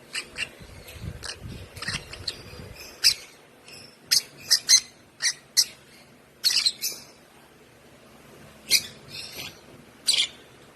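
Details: One-month-old African lovebird, hand-fed since two weeks of age, chattering with bursts of sharp high chirps, irregular and sometimes clustered, after low rustling noise at the start.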